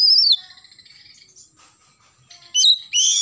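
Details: Oriental magpie-robin in morning song, opening with a high, falling whistle, followed by a near-silent gap and two loud, bright whistled notes at the close.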